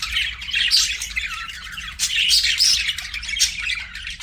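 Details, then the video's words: Budgie chatter: busy, rapid high-pitched warbling with harsh squawky notes and brief whistles, loud and unbroken throughout, over a faint steady low hum. "BUDGIE CHIRPING SOUNDS"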